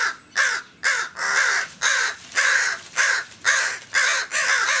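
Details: Agitated crows around an injured companion in a back yard, reacting to someone approaching the back door: about eight loud, raspy caws delivered steadily, roughly two per second, each harsh and slightly drawn out.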